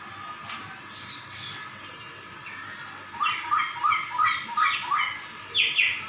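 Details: Laughingthrush singing in imitation of a cat's meow: a run of short, loud, rising whistled notes after three seconds, repeated about three times a second, ending in a higher rising note, over faint background hiss.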